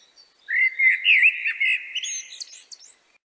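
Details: Common blackbird (Turdus merula) singing in the evening: one phrase of mellow warbled notes ending in a higher, scratchy twitter, mixing melodic and noisy elements.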